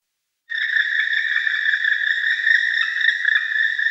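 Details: Black woodpecker producing a continuous rapid trill of fused notes, rattling at a steady pace for about three and a half seconds after a short silence.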